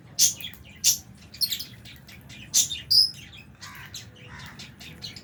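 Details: Aviary lovebirds, albino and Fisher's types, enjoying food alongside budgies; sharp piercing chirps repeated about every half second to second, then softer twitters.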